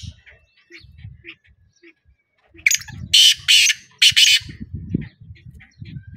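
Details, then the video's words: Black francolin gives a burst of four to five loud grating notes mid-recording, framed by faint ticking sounds and a low rumbling background noise. "kala teetar ki awaz |black teetar awaz |teetar ki awaz |francolin voice"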